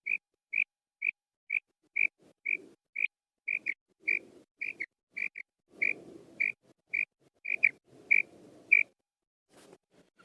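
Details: Female quail calling: short, high piping notes repeated roughly twice a second, fairly even in pitch, with soft low rustling and scraping between some of the notes.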